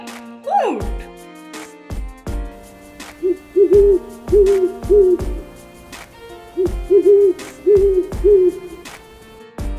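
A horned owl gives deep, soft hoots in two runs of about four, with a pause between them. A steady drum beat and backing music play throughout.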